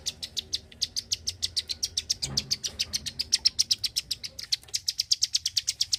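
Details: Very vocal Klik-klik bird producing a fast series of bright, high clicks, about four each second, with a short break in the rhythm midway before the clicking resumes strongly.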